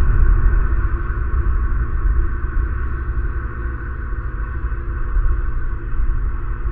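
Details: A steady low rumble, like wind buffeting a microphone, fills the whole recording, with no calls or other animal sounds.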